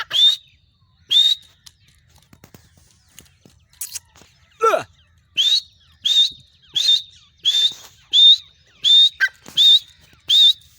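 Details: Female grey francolin calls in a long run of about a dozen short, piercing, rasping notes. They come almost evenly, each with a faint rising whistle, and a brief lower slurred sound breaks in midway.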